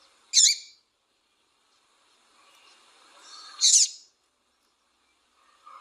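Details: A female double-collared seedeater piping to excite and stimulate a male. Two isolated, sharp, high chirps come about three seconds apart over faint, low background murmur.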